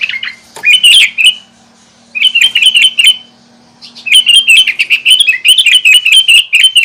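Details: Sooty-headed bulbul song meant to stir up other bulbuls. One short note, then a warbling phrase and a second burst. A long run of quick, bubbling, repeated notes fills the final three seconds over a steady low hum.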